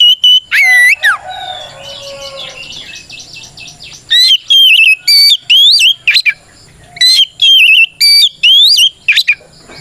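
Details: Oriental magpie-robin (kacer) song calling an opponent; two loud whistles open, then softer chattering and fading notes for about three seconds, followed by a long sequence of powerful looping whistled phrases.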